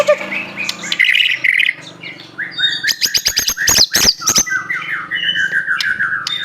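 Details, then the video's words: White-rumped shama, an Aceh bird, singing a rich varied song with mimicked phrases: whistled notes near the start, a burst of sharp clicking strokes around the middle, then a long descending warbled series; some low background hum. "murai batu aceh,isian mewah gaya mantap"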